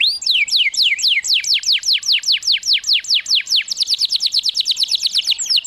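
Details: Canary singing, meant to stimulate and teach other canaries: clear, high, steeply falling whistled notes repeated in a steady trill, then speeding into a quicker, tighter rattle toward the end.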